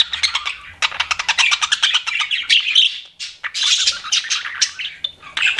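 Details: Chirping pet budgies: a quick run of clipped, evenly spaced chirps at first, then longer scratchy warbles and squawks with short pauses.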